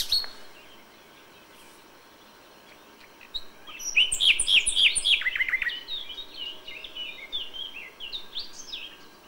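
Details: Common nightingale at dawn in May, original sound: after near silence, a fast cascade of bright, varied chirps and slurred notes, continuing with scattered higher whistled phrases.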